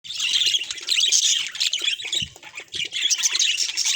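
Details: Budgerigar song: dense, busy chatter of high squeaky chirps, warbles and scratchy notes, near-continuous with brief dips in loudness.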